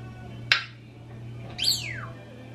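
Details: A 26-year-old African grey parrot and a 16-year-old Quaker parrot, left alone together indoors, make a single sharp click, then a bright whistle that swoops steeply downward after a short pause. A steady low hum runs underneath.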